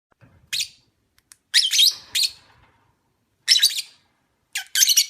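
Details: Lovebird of the opaline parblue colour form, giving sharp high chirps in short bursts with pauses between, some notes rising, a brief soft rustle early on.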